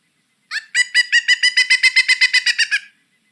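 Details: Pileated woodpecker giving a loud call series: about a dozen ringing, evenly spaced notes at a steady pitch, delivered quickly over roughly two seconds against a silent background.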